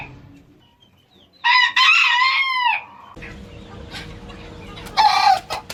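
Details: One loud rooster crow, a ragged multi-note phrase with a falling end, followed by background noise and the start of another crow cut short.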